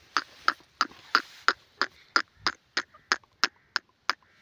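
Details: Grey francolin calling, a sound used for luring and trapping wild francolins in Pakistan: a steady run of harsh, clipped, broadband notes, roughly three per second, each sharp and even in loudness, with a quiet background.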